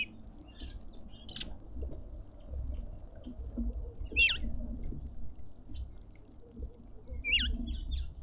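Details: Cut-throat finches squabbling for their share of food at a feeder in a suburban garden in Pretoria, South Africa; sharp high chirps with two loud bursts early on, then downward-sweeping whistled notes, over a low rumbling background.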